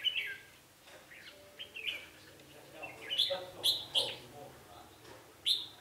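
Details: Red-whiskered bulbul, described as fighting-spirited, recorded during bird trapping on 11 November 2016: short bright whistled phrases, several warbled notes rising and falling, with sharp loud chirps clustered near the end and a final burst after a pause.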